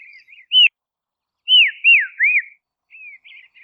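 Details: Clear looping whistles from a Dusky robin in Tasmania: one sharp note, a pause, then three descending arched whistles, followed by softer warbled chatter.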